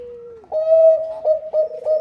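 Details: Bangkok-type zebra dove singing to get other doves to join in: a gentle falling purr, then a loud clear sustained coo interrupted three times by quick rolling notes.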